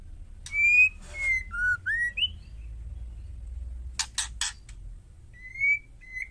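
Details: Female white-rumped shama calling to incite males: a string of sweet whistled notes, some falling and some rising, then a burst of harsh rasps and a final level whistle. A low background hum is present.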